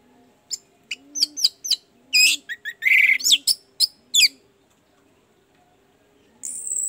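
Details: Orange-headed thrush singing to coax a sluggish caged bird into song: separated sharp, sweeping high notes and short rich phrases, a pause, then a sustained high whistle, over a repeated soft low coo.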